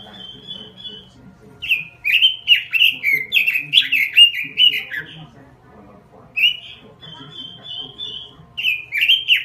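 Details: Robin lure song, full and continuous: a steady high whistle leads into a lively run of quick, looping warbles, then a quiet gap before another level whistle and more rapid notes.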